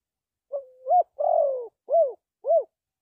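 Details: Low, mellow cooing of a spotted dove from a trapping setting: a flat then upturned first note, a long grainy coo falling in pitch, and two short, evenly spaced rounded coos. No other sounds.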